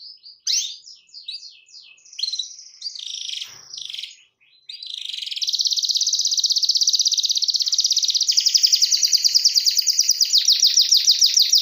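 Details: Canary song meant to call a rival, opening with quick descending whistled notes and sweeps, a brief gap, then a long fast rattling trill that grows louder and steadier to the end.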